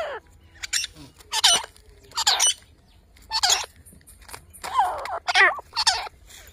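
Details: Grey francolin family calling in jungle, a series of loud, harsh, wavering calls in separate bursts roughly every second, some with quick warbling pitch wobbles, over a faint low background hum.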